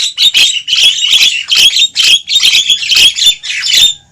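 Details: Javan myna noisy lure call, used to draw wild mynas toward a trap: harsh, buzzy squawks in rapid bursts about three per second, with sharp whistled notes mixed into the rasping chatter.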